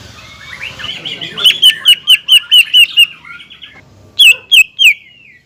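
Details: A greater green leafbird sings to rile a rival. A soft, rambling warble builds into about seven loud downslurred notes in steady succession, then a brief pause and three more.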